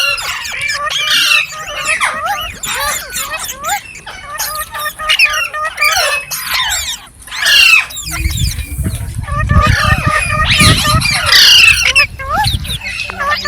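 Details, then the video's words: Green parrots chattering together, with overlapping harsh squawks and twisting, harmonic chirps throughout, then a low rumbling background from about eight seconds on. "Beautiful Green Parrots Talking | Funny Parrot Sounds"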